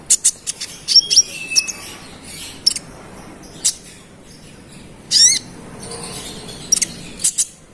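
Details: Brown-throated sunbird, called konin, giving a rival-provoking song: isolated sharp high chirps and ticks spread across long gaps, one short rasping burst midway, a flat whistle early on.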